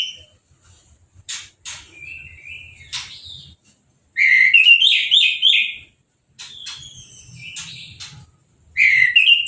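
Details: Orange-headed thrush singing uncovered after moulting and a hose bath: scattered sharp chirps, then a loud rich warbled phrase of mixed whistles, resuming briefly at the end.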